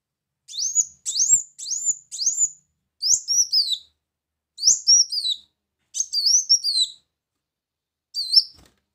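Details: Brown-throated sunbird song as a bird-attracting lure: high upslurred chirps at first, then paired notes that rise sharply and drop away in short descending trills, delivered in separated phrases about a second apart.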